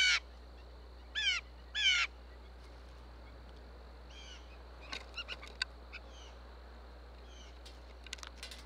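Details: Blue jay calling at a live bird feeder in Minnesota, USA, telling other blue jays there is food: three loud harsh rising-falling calls in the first two seconds, then fainter chirps and short calls from other birds over steady background hum.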